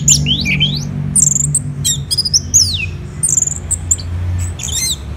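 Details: Morning singing of an orange-headed thrush, Kubutambahan in Bali's Singaraja area: swooping whistles that slide down, quick high chips and short trills, set against a steady low rumble of background noise.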